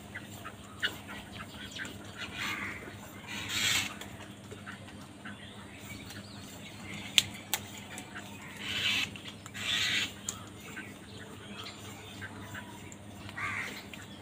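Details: Crows squabbling with other wild birds over food; a few harsh, broadband caws burst out several seconds apart over a quiet background with a steady low hum.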